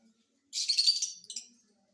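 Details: Out of its cage, a pet rose-ringed parakeet gives one harsh, buzzy screech lasting nearly a second, then a shorter raspy note, in an otherwise quiet room.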